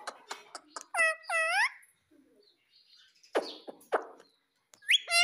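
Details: Pet ringneck parrot producing two harsh arched squawks among sharp clicks and taps, then a short noisy burst and a final rising squawk.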